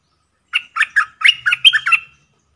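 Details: Streak-eared bulbul kept as a caged decoy to lure wild birds, giving a quick run of about seven bright, slurred chirps over one and a half seconds, with a faint low hum beneath.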